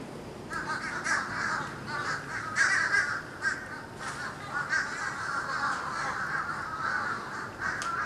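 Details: Huge flock of birds over Florida on 31 December 2011, blackening the sky overhead, recorded by camcorder. A dense, continuous din of overlapping harsh cawing calls fills the air, with no single bird standing out.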